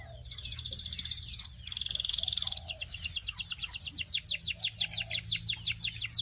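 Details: Singing Belgian canary, a song to attract other canaries: two buzzy rapid rolls separated by a brief pause, then a steady run of repeated downslurred notes.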